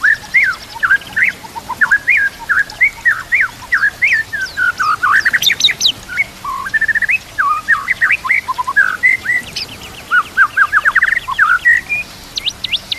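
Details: Training song of a white-rumped shama, with kapas tembak and canary phrases worked in: a long, busy, varied run of chirps, slurs and rapid trills, some very high thin notes, delivered almost without pause.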